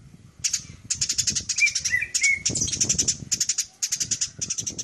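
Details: Burung gereja, the Eurasian tree sparrow, in a fight: choppy volleys of fast high chirps overlapping with several lower squeaky notes and a soft fluttering sound in the background.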